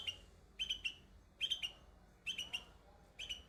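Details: Baby bulbul perched on white flowers, singing in quick bursts of two or three sharp, high chirps, each burst separated by a pause of under a second.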